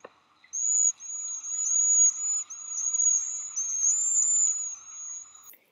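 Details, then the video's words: Backyard flock of cedar waxwings, which sits high in a tree around 6 p.m., gives very high, thin, lisping trills in a near-continuous overlapping stream over faint background hum. "They're easy to identify because they have a really high-pitched call that sounds like this."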